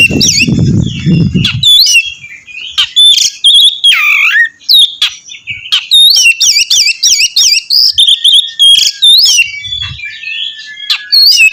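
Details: Energetic Oriental magpie-robin song used to make other magpie-robins sing too; varied whistles, short buzzy notes and a lower falling slur, building into quick runs of looped whistled notes, low rumbling noise at the start and once later.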